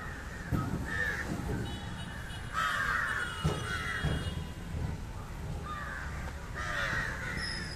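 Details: Indian jungle crow (Corvus culminatus) feeding on fish, giving a run of harsh rasping caws in irregular bursts, with knocks and low rumbling around it.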